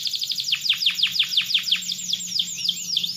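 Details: Canary in vigorous, sustained song said to make other canaries answer: a fast, steady trill of bright, downward-swept whistled notes, about six per second, over a faint low hum.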